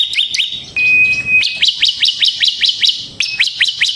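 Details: Semi-type bar-winged prinia singing as a lure bird: quick high upslurred notes in a loose series, interrupted twice by a flat, steady whistle-like tone.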